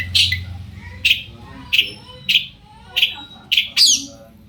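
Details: Long-tailed shrike singing as a lure so other shrikes reply; sharp, slightly scratchy notes repeated about every 0.6 seconds, ending in a quick doubled phrase, over faint low background hum.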